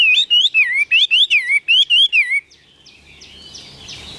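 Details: Caged Chinese hwamei singing a quick series of wavering whistled notes, about nine in two and a half seconds, followed by quiet with faint distant chirps.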